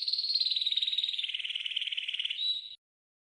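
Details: Green canary training song fragment: a continuous rapid rolling trill, slightly falling in pitch, ending on a brief pure whistle before cutting to silence.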